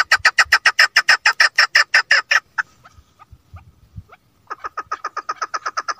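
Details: Female chukar partridge (chakor) gives a rapid, regular series of harsh clucking notes, about three per second, pauses briefly, then resumes a softer, quicker run.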